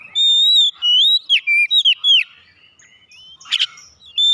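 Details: Training recording of Oriental magpie-robin song meant to prompt caged birds to sing: loud, clear whistled phrases, some sliding down, then quick chips and a harsh rasp before another whistle.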